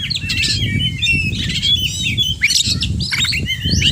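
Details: Oriental magpie-robin in steady, fluent song packed with mimicked phrases: a dense run of high whistles, chirps and harsh notes over a constant low rumbling background noise.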